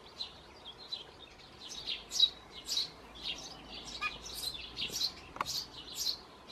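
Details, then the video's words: Eurasian tree sparrow chick, one of several in a nest box on a terrace, being fed. It begs with high, scratchy chirps in irregular bursts, roughly two a second, with a couple of faint clicks. "Feldsperlingsküken wird gefüttert"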